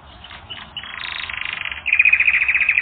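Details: Brief burst of canary song for training. A soft buildup runs into a rapid rolling trill, then turns to louder, faster pulsed notes.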